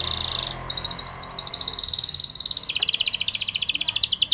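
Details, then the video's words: Spanish Timbrado canary training song with steady rapid trilling against light background noise, the pulsed roll dropping to a lower pitch partway and continuing to the end. "Spanish Timbrado canary song for training"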